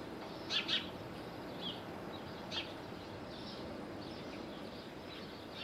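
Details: Little owl on Corfu, Greece, near Bostonia village, gives two quick sharp high notes at the start, then softer single notes at about 1.7 and 2.5 seconds, against constant outdoor hiss.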